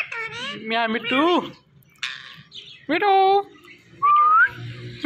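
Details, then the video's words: Indian ringneck parrot kept as a pet, imitating speech: rough, wavering voice-like phrases, a short pause, then a clipped syllable and a clean upward-sliding whistle, over faint low hum. "Talking Indian Ringneck Parrot"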